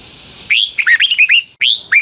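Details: Double-style song of a red-whiskered bulbul from Pa La-u, Thailand: a rapid, tumbling run of about eight loud, liquid whistled notes with one short pause.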